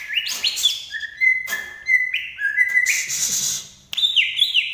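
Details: Banyuwangi green leafbird gives clear, level whistled notes at alternating pitches, mixed with rising slurs and a buzzy burst before a final high-to-low phrase.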